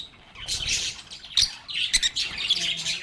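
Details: A brief flurry of lovebird chatter: after a quiet opening, bright high chirps and squeaky notes build into a busy overlapping chorus with sharp accented peaks.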